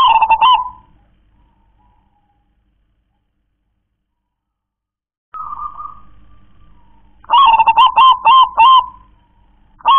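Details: Song of a local zebra dove: a long opening coo, then a quick run of five clipped, bubbling notes, with a silent gap earlier.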